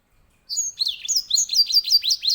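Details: Grey singing finch, or edel sanger (Serinus leucopygius), a finch kept in Indonesia as a tutor bird for canaries, sings a fast run of high sweeping whistled notes, each a brief downward slur, repeated without pause for about two seconds.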